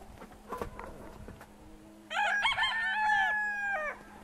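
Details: Rooster among decorative chicken breeds such as Brahma and Pavlov, Altai, February 2016: soft clucks and scattered noises, then one loud, harmonic crow of nearly two seconds that holds a steady pitch and ends with a slight drop. A faint steady hum runs throughout.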